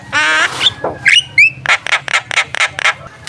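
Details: Javan myna singing a model song used to stir up contest birds before a bird competition: harsh harmonic squawks, a low croak, rising whistled slurs, then a rapid run of seven buzzy rasping notes about four per second.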